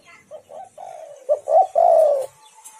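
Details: Spotted dove call used to lure and provoke other doves: a few quiet, low coo notes building into two louder short notes and a final sustained, slightly falling coo.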